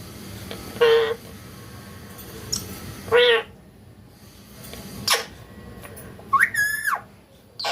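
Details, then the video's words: Parrot giving a few scattered calls: two short harmonic squawks, a sharp click-like burst, then a rising, wavering whistle, with quiet gaps between them. "Parrot Talking Natural Sounds"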